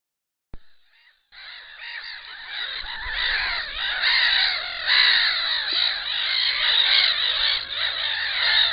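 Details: Black-winged stilts at a nest holding an enlarged clutch; after a second of near silence, a dense chorus of overlapping nasal yelping calls builds and continues steadily, several birds calling at once, with faint low rumble beneath.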